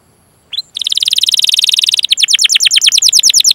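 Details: Long chirping, rolling canary song meant for training other canaries to sing: a brief faint high note, then a dense fast buzzy trill followed by a series of quick rising whistled notes repeated several times a second.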